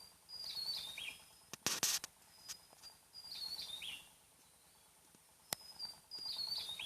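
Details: Wild Javan tesia, a tiny bird found only on Java, with a loud, sharp voice said to carry far and resemble tledekan. Short phrases of thin, high whistles tumble downward, repeated about five times. A brief loud clatter is heard early on.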